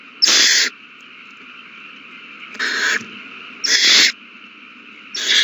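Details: Young owls in the nest eating well during feeding, 27 March 2020; four raspy hissing shrieks of about half a second each, irregularly spaced, with a steady electrical-sounding hum.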